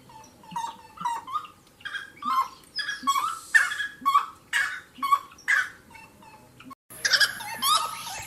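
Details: Wood rail chorus: a building series of raucous, rhythmic calls mixing rough squawks and whistled notes at a pace of about two per second. There is a brief cut near the end, then a loud burst resumes.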